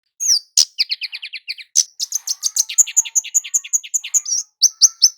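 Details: Javan kemade (Scarlet-headed Flowerpecker) calling persistently in gacor style, used as a lure for males and females: a rapid, steady run of sharp, very high ticking chips, roughly five to six per second, with a few thinner, slurred notes, no other sounds.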